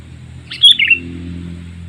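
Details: Lure call of a sooty-headed bulbul for drawing in wild birds, a single bright two-part chirp, sharp first note sliding into a lower slurred second, over steady low rumbling hum.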